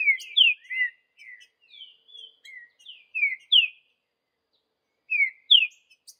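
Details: A Green-winged saltator singing in the woods gives a quick run of clear, slurred whistles, some rising and some falling, then pauses and adds two more rich notes.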